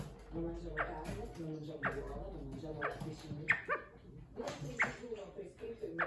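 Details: Male California quail kept as a pet, perched on a chair and talking: a series of quick, sharply swept chirping notes, some doubled, coming roughly once a second against a low indoor rumble.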